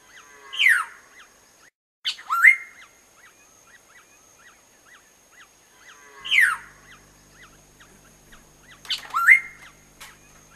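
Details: Black-naped oriole feeding its young gives four harsh, nasal, downslurred calls in two pairs over a faint steady high whine.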